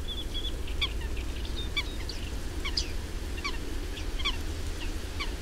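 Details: Bearded reedlings feeding on reed seeds give short, bright metallic pings, repeated every half-second or so over a steady low rumble of wind.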